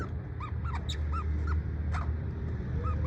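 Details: A parrot in the USA, in a good mood, gives short, soft, arched chirps, about six in three seconds at an uneven pace, over a steady low rumble.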